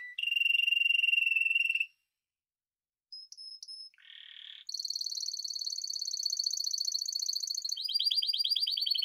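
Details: Spanish timbrado canary: an even trill, a pause, a few brief notes and a buzzy burst, then a long high rapid trill that drops lower near the end.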